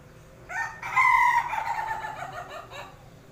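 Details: Chicken making a strange, laughable sound: a harmonic crow starting with a short rising note, then a loud sustained middle section that breaks into wavering, stuttering pulses before fading out over about two and a half seconds.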